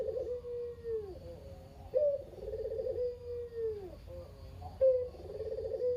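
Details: Single captive Barbary dove, noted as unusually chatty after losing its mate, cooing to prompt other doves to call. A burbling coo slides into a drawn-out descending tone, then repeats; a low hum runs underneath.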